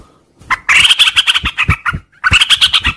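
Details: Sooty-headed bulbul (trucuk) in the morning, singing a long, continuous ngropel song: loud, bubbly, rapid run of rich warbled notes in two dense bursts separated by a brief pause, with faint clicks beneath.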